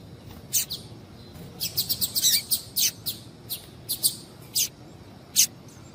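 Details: Female double-collared seedeater giving high-pitched chirp calls to stimulate a male: crisp, thin single and paired notes spaced irregularly every half second or so, with a busier cluster in the middle and quiet hiss between.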